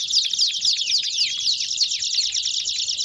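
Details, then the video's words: Singing Belgian canary delivering a fast, even run of sharp chipping notes and descending slurs, a bright rolling trill held throughout. "CANÁRIOS DO REINO CANTANDO!!! BELGIAN CANARY SINGING!!!"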